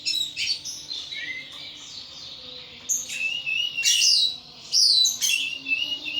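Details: Caged pet thrush singing loudly and freely in an intense ngeplong style: short bright whistled and chattering phrases, high and sharp, bursting out roughly once a second with brief pauses between.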